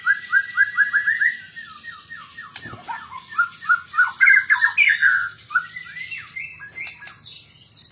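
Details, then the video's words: Fighter white-rumped shama with a fill-packed song: a quick series of short rising whistles, then louder, varied, rising and falling whistled phrases, with one sharp knock midway. "BURUNG MURAI BATU FIGHTER FULL ISIAN"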